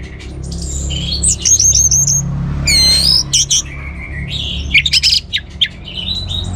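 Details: Orange-headed thrush in full song, used to stimulate other birds to sing: a varied rush of high whistles, rapid trills and sharp chirps with brief pauses, over a steady low hum.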